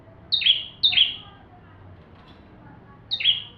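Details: Bar-winged prinia in full song, used as a tutor recording for magpie-robins: three bright two-part notes, a high short note dropping into a lower, slightly buzzy downslurred one, the first two close together, then a pause.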